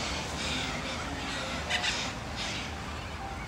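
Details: Sulphur-crested Cockatoos and Corellas in a big noisy flock at Sunbury, Australia; scattered hoarse, grating squawks rise above a steady wash of background chatter, with one sharper burst midway and softer birdsong behind.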